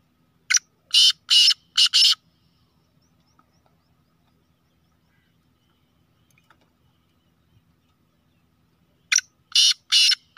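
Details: Black francolin, Sheedi Gangas Nasal line, a chakri wala bird: a burst of four rough, grating notes, about seven seconds of near silence, then another matching four-note grating phrase.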